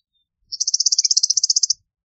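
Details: Rattling chatter of an Eastern meadowlark, a fast even series of about eighteen high buzzy pulses lasting just over a second, with nothing else audible.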